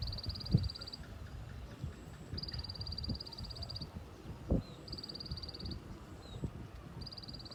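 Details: White-eye 'tành tạch' song: three separate bursts of rapid, high ticking notes, evenly paced within each burst, over low rumble with occasional thumps.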